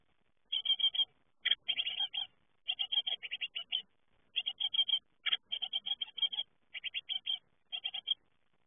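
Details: Fledgling great tits leaving the nest call almost continuously: tight, repeated bursts of high, buzzy chip notes come in rhythmic groups throughout, with only short pauses between them.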